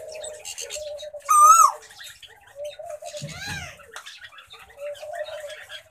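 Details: Plum-headed parakeet (Psittacula cyanocephala) from a bonded breeding pair in an aviary gives a loud, shrill, rising-then-falling call, then a shorter descending call, over a steady low hum and soft cooing chatter of other aviary birds.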